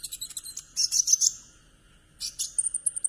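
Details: Kumur-kumur trotol song of a conin, played as a lure for a silent bird. Quick high chirps build into a short buzzy trill, pause, then return as sharp twitters and a run of rapid high notes, over a faint hum.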